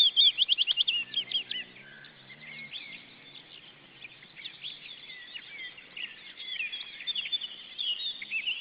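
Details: Restless female osprey opens with a rapid run of loud, high, clipped whistles, then gives scattered, softer, slurred chirps over constant background hiss.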